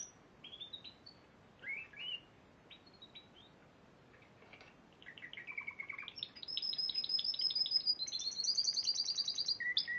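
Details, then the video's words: Champion Spanish Timbrado canary from the Piala Raja contest, March 2014, starts with scattered soft chirps and a pause, then builds into fast, high, metallic trills and rolls that grow louder toward the end. "Kenari Spanish Timbrado Juara Piala Raja Maret 2014"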